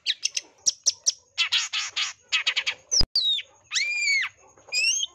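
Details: Long-tailed shrike in lure song, in high breeding condition: quick high chips give way to harsh buzzy rattles, a sharp click, then long arched harmonic squeals and a rising whistle.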